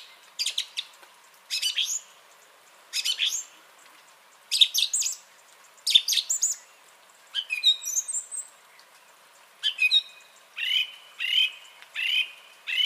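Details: Song thrush singing, 30 January 2021: crisp, rattling phrases each repeated several times before the bird switches to a new whistled, downslurred phrase, also repeated.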